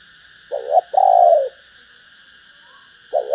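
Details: Female spotted dove calling to excite males: a brief wavering coo, then a sustained mellow coo, and after a pause of about 1.5 seconds another short coo begins. A faint constant tone lies underneath.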